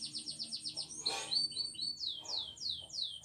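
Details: Caged domestic canary singing a training song: quick series of high, thin downslurred notes, then a brief broadband rustle, then a few short whistles and slower repeated sweeping notes descending in pitch.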